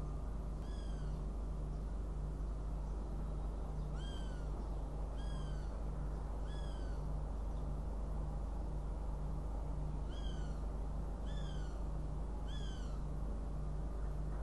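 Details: Northern goshawk recorded in Riga on 29 June 2016 repeats slurred, falling, harmonic wailing calls about eight times, in loose pairs and triplets, against a continuous low hum and rumble.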